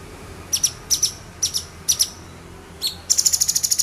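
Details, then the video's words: Agitated male orange-bellied leafbird firing sharp song: very high, piercing short notes repeated roughly every half second, then a fast rattling burst of about a dozen rapid high notes. "CUNGKOK JANTAN EMOSI NEMBAK TAJAM"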